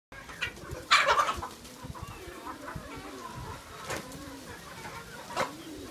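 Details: Free-range chickens raised on grasshoppers, clucking in short, irregular bursts, with one louder squawk standing out.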